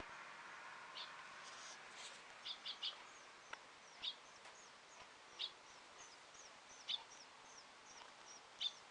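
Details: Sparrow inside a ventilation fan, recorded 2 May 2015: short sharp chirps, single and in quick pairs, scattered irregularly over steady broadband fan-like hiss.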